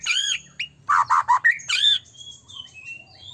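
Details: White-rumped shama song meant to provoke other shamas to sing and get agitated; a burst of harsh, buzzy, loud notes and rich whistles in the first two seconds, then thin high quieter whistled phrases, with a low hum behind.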